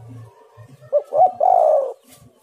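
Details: One spotted dove phrase meant to lure birds: two clipped coos and then a long, steady, throaty coo. Soft low rumbling and murmur come before it.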